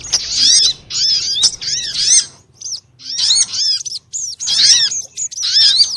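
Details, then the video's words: Noisy sunbird lure calls used to draw birds in: high, thin chirping bursts of about a second each with clear pauses between, the later bursts sharper and brighter. "SUARA PIKAT BURUNG SOGOK ONTONG RIBUT AMPUH BIKIN SOGON NEMPEL PULUT"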